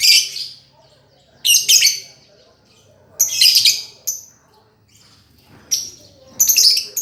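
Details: Master recording of lovebird song for training a bird that has gone quiet: separate loud, shrill, raspy bursts, each under a second, spaced by quiet gaps of one to two seconds.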